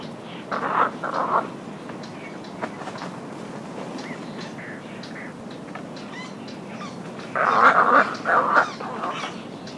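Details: Little Egrets in a colony give harsh, croaking gargles as alarm calls and greeting-ceremony calls in two bursts, one near the start and a louder pair near the end, over a steady background hiss.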